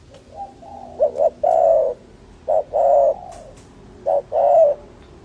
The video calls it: Dove Video Sound